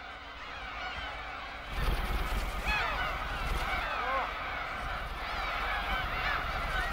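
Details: A flock of Black-tailed Gulls from Hongdo island, Korea, flies up to a fishing boat after long calls announce food: overlapping nasal, cat-like mewing cries that swoop up and down, over a steady low engine rumble.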